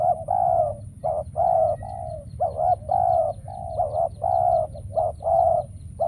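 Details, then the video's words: Trapping decoy spotted dove cooing: strong, rounded coo notes, several with slurred rising-falling shapes, repeated almost continuously, with faint high ticking notes from another small bird and low background rumble. "Bẫy Chim Cu Gáy , Cu Gáy Bổi Giờ Hiếm Quá Mồi Kêu Vậy Mà Chả Thấy"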